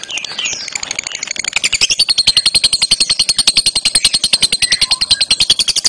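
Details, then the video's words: Lovebird at a singing contest, delivering a long unbroken ngekek song in the ngentrox fighter style: a rapid, evenly pulsed, high rattling chatter sustained throughout with scarcely a break. "Lovebird ngekek ngentrox"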